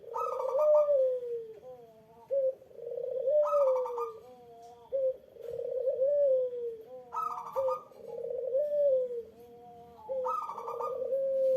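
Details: Eurasian collared dove cooing to elicit a rival's response: four repeated phrases roughly every three seconds, each starting with a raspy, gravelly burst, then a soft descending coo and a short, slightly higher bridging note.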